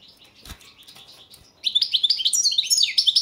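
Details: European goldfinch, Balkan subspecies balcanica, in a 2022 song championship recording: soft scratchy sounds and a thump, then from mid-clip a burst of bright, rapid twittering and chattering notes.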